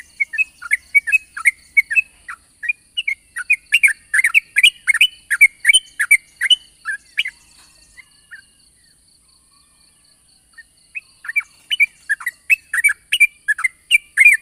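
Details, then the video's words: Long morning 'ropel' song of a yellow-vented bulbul, used as a lure to make other bulbuls sing. Rapid, liquid, bubbling notes run for about eight seconds, fall quiet, then pick up again at full pace. "pancingan burung trucukan ropel panjang di pagi hari bagus untuk memancing trucuk bahan agar bunyi"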